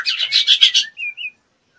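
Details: Female white-rumped shama in breeding condition, soliciting mating: a quick rattling string of buzzy notes followed by two short, clear whistles.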